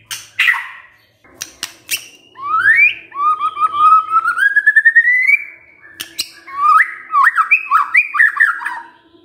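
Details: White-rumped shama giving kretekan to stir up emotion. A few sharp clicks open, followed by two long rising whistles and a fast run of jerky, looping slurred notes, with a faint steady hum behind.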